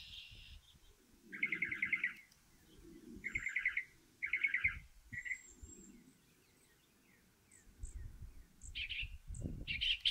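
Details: Singing northern mockingbird on a stove pipe delivers separate bursts of harsh trilled notes with gaps between them, ending in higher clear notes; soft low rumbles in the background.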